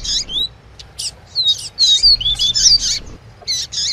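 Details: Double-collared seedeater, tui tui song style, heard with a female's calls to stimulate a male. Short high chirps lead into a tight series of descending whistled notes and buzzy trills, then a pause and two more bursts.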